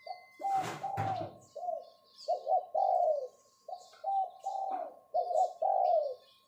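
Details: Spotted dove kept as a decoy bird, calling with the 'pho pho' summoning style: a run of soft, hollow coos in quick clusters. A brief rustle or knock comes early, and light bird twitters sound behind.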